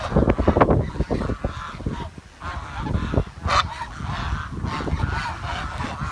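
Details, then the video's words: Village swans giving loud nasal honking calls in quick overlapping bursts, several birds calling at once over steady rustling background noise. "The Chirping Sound of The Village Swan"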